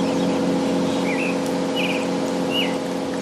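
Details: Singing Pale-breasted thrush amid urban noise: three short slurred whistles, one wavering and one falling, each about a second apart, against a loud steady mechanical drone.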